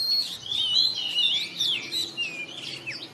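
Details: Oriental magpie-robin heard in the morning, sweet sliding whistles and warbled phrases running without pause over a noticeable background hiss.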